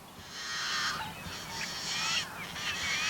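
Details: Yellow-headed Blackbird at a local wetland in May, vocalizing and displaying. Its harsh, grinding, buzzy song is likened to a rusty farm gate or a chainsaw. Broad rasping buzzes repeat in three long bursts, with thin whistled slurs between them.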